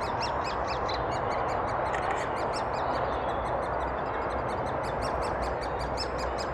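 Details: Adult great spotted woodpeckers feeding young in Thurrock woods on 20 May 2014: dense chattering series of high, clipped notes, several overlapping at first, then a regular fast rhythm, over steady background hiss; filmed on a FinePix HS50EXR.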